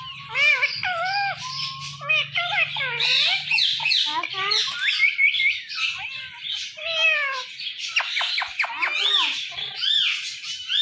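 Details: Pet Indian ringneck parakeet talking, producing a dense stream of speech-like whistled syllables, squawks and wavering notes that run almost without pause for about eleven seconds.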